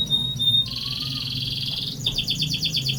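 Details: Canary delivering a long rolling song: high whistled notes, then a dense buzzy sustained roll, shifting to a rapid pulsed high trill; steady low hum in the background.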